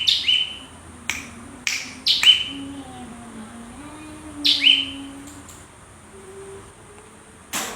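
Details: Cinereous tit giving sharp clicks and short high whistles that slide downward, in three or four spaced bursts. A soft low wavering tone and a steady background hum run beneath.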